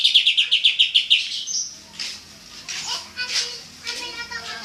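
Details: Greater green leafbird, known locally as cucak ijo, in full rapid-fire song: a fast run of about ten bright, evenly repeated high notes, then softer varied chattering and twittering phrases.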